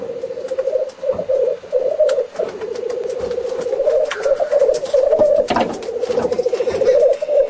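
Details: Displaying black grouse in home footage: a continuous low bubbling, cooing warble that rolls on without pause. It is broken by sharp hissing bursts and one brief higher whistled note midway.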